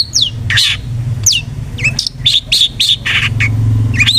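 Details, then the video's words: Long-tailed shrike (cendet) lure meant to trigger aggressive singing: loud grating squawks and sweeping high whistles in quick irregular succession, over a continuous low engine-like hum. "PANCINGAN BURUNG CENDET GACOR jitu buat Pancingan Cendet Agar Bunyi EMOSI❗"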